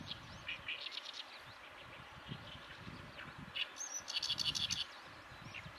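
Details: Oriental reed warblers, summer visitors newly arrived at a riverbank and calling toward breeding, give their distinctive 'gyo-gyo-shi' harsh, grating chatter in quick repeated bursts, ending in a loud scratchy run, over a low rumble.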